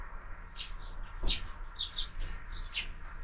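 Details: Sparrows at a window feeder in the morning give sparse, separate high chirps, a handful spread across the moment, over a faint steady hum.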